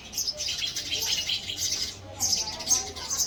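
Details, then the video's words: Male house sparrow giving dense, high chirps in rapid runs with a brief pause near the middle, about two per second, over soft low background noise. "Male Sparrow Call, Male Sparrow Chirping Sound"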